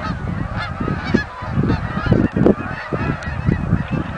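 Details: Many Canada geese flying in at Oak Hammock Marsh and Fort Whyte, giving a constant babble of short nasal honks, with strong low rumbling noise mixed in.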